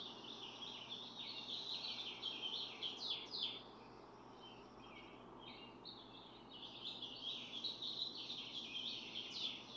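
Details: Barn swallows at a nest holding four eggs during incubation, parents swapping turns: continuous high twittering and chattering with quick descending notes, several callers, over a steady low hum.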